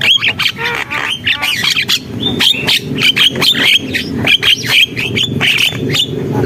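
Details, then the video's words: Javan myna in dense, harsh song: continuous squawking chatter with short whistled notes mixed through it. "JALAK KEBO GACOR, SUARA JALAK KEBO"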